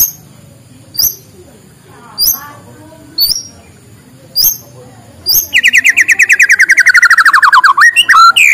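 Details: Morning white-rumped shama song for prompting reluctant birds: several very high thin notes spaced about a second apart, then a long, rapid rattling trill that slides gradually downward into whistled phrases.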